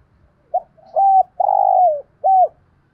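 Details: Spotted dove cooing, a recording played to train decoy birds to coo along: a short soft note, then a sustained mid-pitched coo, a long hoarse drawn-out coo falling at its end, and a final arched coo, in a quiet setting.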